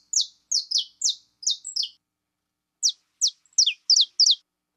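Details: Saffron finch, female, giving a string of clear downslurred chirps in quick pairs, a short gap, then more steep falling notes with a brief lower dip.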